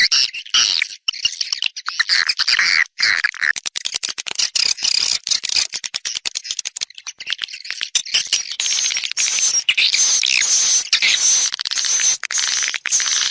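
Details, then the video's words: Swiftlet chatter for an external sound: fast, rattling high-pitched trills and clicks, about two per second, becoming a steady shrill buzz in the second half. "Free Swiftlet External Sounds"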